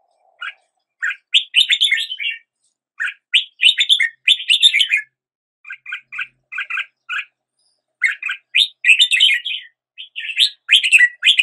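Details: Red-whiskered bulbul at the start of the day, singing brisk, chirpy whistled phrases that mix rising and falling notes, delivered in bursts of about two seconds with short silences between them.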